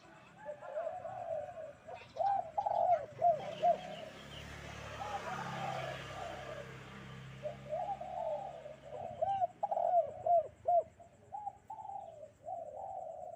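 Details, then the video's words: Spotted dove calling vigorously on a bright morning: throaty, repeated coos in short bursts, with a rushing vehicle-like noise swelling in the middle of the recording. "Di pagi hari nan cerah ☀burung derkuku kuk 2 gacor"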